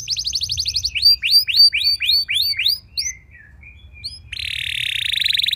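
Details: Canary singing as a prompt to set other canaries singing: fast high buzzy trill, a series of rising then falling slurred whistles, soft twitters, then a sustained dense rattling trill.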